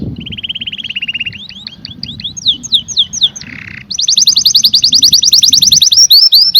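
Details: Canary singing: a lower steady trill opens, then a series of slurred downward whistled notes, a brief buzzy rattle, and finally a loud rapid high trill of repeated notes.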